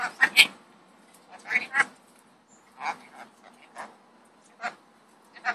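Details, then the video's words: Rainbow lorikeet talking, a pet bird uttering short speech-like syllables in scattered bursts about every second, some harsh and raspy, in a quiet room. "Rainbow lorikeet talking"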